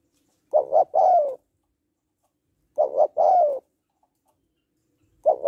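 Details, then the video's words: Female spotted dove cooing to excite a male: paired quick hoots then a longer downslurred coo, repeated at an even pace with silence between. "Tiếng Cu Gáy Giọng Hạp BổI ĐỦ BÀI [ GÁY GỌI,THÚC,GÙ ]Kích Bổi Nhanh Nổi"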